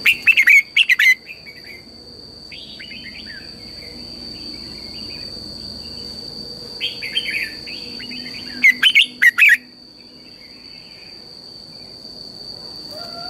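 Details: Red-whiskered bulbul morning song used as a lure for training birds: loud bursts of rapid bright chirps separated by softer twittered and warbled phrases, repeated over several seconds, with a constant high whine throughout.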